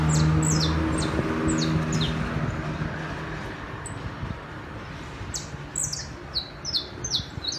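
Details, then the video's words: Saffron finch song in the city: runs of high, downward-sliding chips at the start and again near the end, with a steady low mechanical hum throughout. "canto do canário da terra/NA CIDADE"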